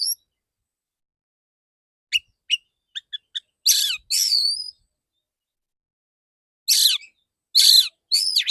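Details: Male white-rumped shama in training, singing: scattered short ticks and chirps build into rich buzzy swoops and a whistled note, then after a pause three more loud rasping phrases.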